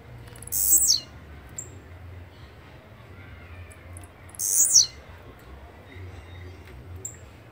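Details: Two Blue-black grassquit songs about four seconds apart, each a brief, buzzy, very high phrase falling in pitch, with faint thin notes and quiet background between.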